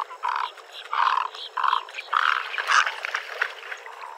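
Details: Harsh, drawn-out croaks from a Great egret, several run close together and merge into a rough, grating sequence, with weaker scratchy notes trailing at the end.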